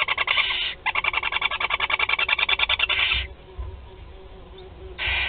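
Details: Feeding of four barn owl chicks at Théding on 16 July 2020: fast rasping pulsed chatter for three seconds, a pause with faint rustling, then another short harsh hiss at the end.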